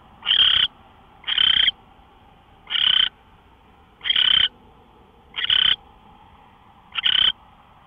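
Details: Owl heard at 5:27 AM, 24 March 2013: six raspy, breathy hisses, each about a third of a second, repeated at uneven intervals of one to one and a half seconds over quiet background hum.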